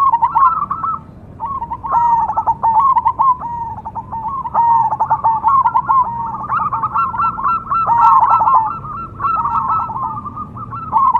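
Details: Cemani zebra dove giving a continuous rolling coo, mellow mid-pitched notes broken into quick stuttered pulses and repeated in phrases that swell louder toward the end, over a low steady hum.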